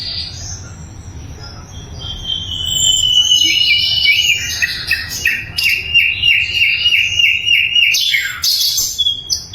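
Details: Sikatan londo flycatcher, recorded loud and very clear as a training song for magpie robins and all songbirds; high whistles and warbles lead into a quickly repeated rolling note series and sharp chirps, low hum behind.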